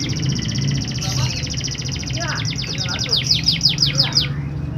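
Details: Canary song meant to prompt lazy, silent canaries to start singing: a long fast trill of high repeated notes that speeds into broad sweeping slurs, over a constant low hum.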